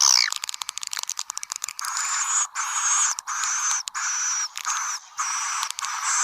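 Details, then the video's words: Swiftlet lure call to attract swiftlets: a rapid run of sharp clicks, then long buzzy high twittering trills in sustained bursts broken by short pauses. "Suara Panggil Burung Walet Nemo # เสียงนกนางแอ่น สำหรับเรียกนก"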